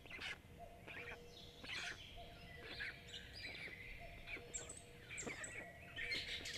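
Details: Black stork nestlings, five young, calling as food arrives at a forest nest in Jõgeva County, Estonia, 29 May; repeated brief chirping squeaks in irregular bursts, with a faint steady tone and low rumble beneath.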